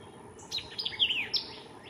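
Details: White-eyed vireo in McDonough, Georgia, May 2023: one quick, emphatic phrase of sharp, slurred chips and whistles, high-pitched and under a second long, against a soft hiss.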